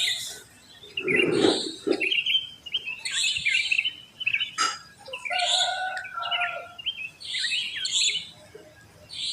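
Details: Sooty-headed bulbuls calling in a residential neighbourhood just after dawn, where many of these wild birds live. Bright, bubbly chirping phrases in short bursts with gaps between them. Other birds call nearby, and a low thump sounds early on.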